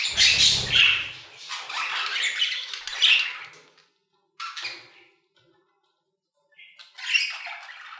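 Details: Budgerigars in an aviary chattering in bursts: raspy warbling notes for about three seconds, then short squawky phrases separated by silent gaps, with a low rumble at the start.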